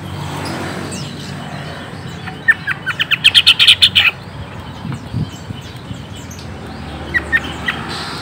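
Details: Green leafbird sound played to make a young, newly caught bird answer at once: a short, loud burst of quick chattering chirps in the middle, then a few faint, scattered notes over background hiss.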